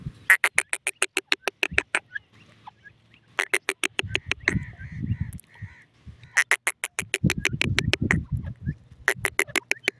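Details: Francolin (teetar) in forest: loud bursts of harsh, rapid clicking notes, each run lasting about a second and a half and repeated four times, with low rumbling and a faint steady tone between bursts.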